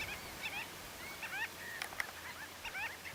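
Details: A group of common shelducks in April at Tancat de Milia reserve, l'Albufera, where males display, gives short, thin whistles that rise and fall, overlapping at an uneven pace over a soft hiss.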